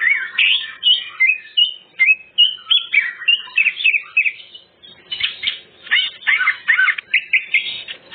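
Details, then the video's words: Greater green leafbird singing as a lure for other birds: rich warbled phrases of mixed whistles and chatter, followed by harsher, buzzy repeated notes. "Cucak ijo bongkar isian full materi , sangat ampuh pancingan burung bahan"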